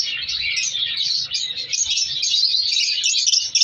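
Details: Captive colony of color African lovebirds during breeding season, chicks being separated: dense, continuous high chirping and squeaky chatter from many birds overlapping without pause.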